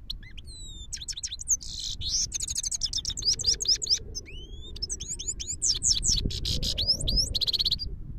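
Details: Himalayan goldfinch singing in Parachinar, a long lively run of high twitters, upslurred whistles and buzzy trills, delivered almost without pause, with faint low rumble underneath.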